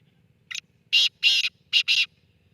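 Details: Black francolin calling: one short harsh note, then three louder, longer grating bursts, the last two close together, over a faint low hum.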